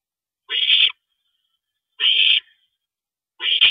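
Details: Owl nest at night on April 22, 2012, as a parent stops by: three loud, grating hissed screeches about one and a half seconds apart.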